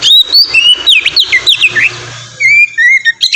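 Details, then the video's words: Ngeplong-style white-rumped shama song meant as a lure for other shamas: quick run of loud, clear whistles sliding up and down, then two long pure descending notes. "suara burung kacer ngeplong merdu"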